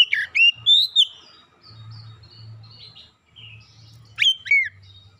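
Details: Oriental magpie-robin song used to lure other birds into singing: loud whistled phrases with sharp rising and falling slurs, one burst at the start and another near the end, with softer twittering and a low hum between.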